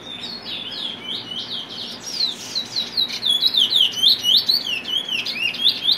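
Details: Trinidad bullfinch, locally called cumuto, singing: a fast run of sharp, high whistled notes that swoop down and up, about four per second, growing louder after a soft, hesitant opening, with a faint low rumble underneath.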